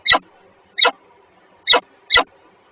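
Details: A pair of peregrine falcons at Warsaw Żerań, Poland, on 14 February 2023 at 7:47. Four clipped, hoarse, high squealing notes follow one another at irregular gaps under a faint low hum.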